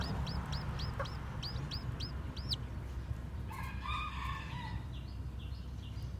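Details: Newly hatched white, black-tailed bantam chicks walking about. A run of high, clear, downward-arching peeps repeats about three per second, then a lower, harmonic drawn-out call follows, over a steady low rumble.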